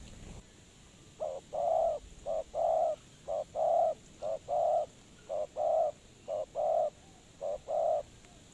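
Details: Lure spotted dove for trapping, giving a steady series of seven paired coos, each a short note then a longer low one, roughly one pair a second.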